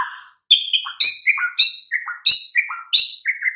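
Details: White-rumped shama song from a master track used to get silent birds singing: a rich, rapid flow of ringing whistles jumping between high and low notes, several slurred downward, with almost no gaps.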